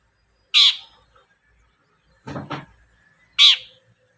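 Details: Long-tailed shrike (cendet) calling as a lure to make shrikes sing: two harsh, rasping screeches about three seconds apart, with a low, rough rustling noise in between.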